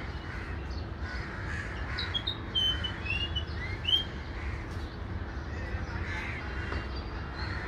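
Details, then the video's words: Grey fantail song: a brief run of thin, high, squeaky whistled notes, several sliding upward, packed into about two seconds over a steady low background rumble. "Song of the Grey Fantail"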